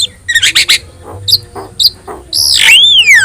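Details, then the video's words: Yellow-eyed Javan myna used for tutoring other songbirds: a few soft clicks and chatter, then a loud, long whistle that rises and slides down at the end. "JALAK KEBO GACOR MATA KUNING | Untuk Masteran Kicau Jalak"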